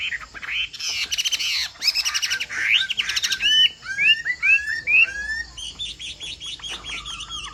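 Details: Hwamei of the Bộ Tam Hoàng type in lively, varied song: harsh buzzy rattles and trills open the phrase, giving way to clear descending whistles in quick succession and a rapid high twittering finish.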